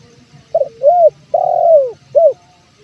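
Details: Spotted dove, male, calling as bait for wild birds: one full phrase of a short coo, a rising-falling coo, a long falling drawn coo and a brief closing note over soft background hiss.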